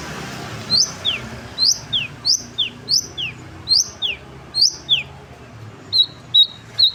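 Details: Long-tailed shrike out for sunbathing, repeating paired whistled notes, a quick rise then a descending slur, roughly every second, ending in shorter clipped notes; low background hum.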